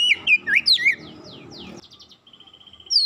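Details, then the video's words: Oriental magpie-robin singing, used as a lure to get a silent magpie-robin singing quickly and chattily; loud whistled notes twisting up and down, then a quieter run of soft chips and a final high whistle. "sekali pancing Kacer macet bunyi cepat gacor"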